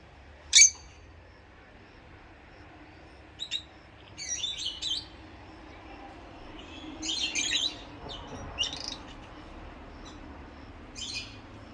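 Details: Rosy-faced lovebirds, two birds, chirping: one loud piercing chirp opens, followed by softer scattered twittering notes and brief chatter over a quiet background.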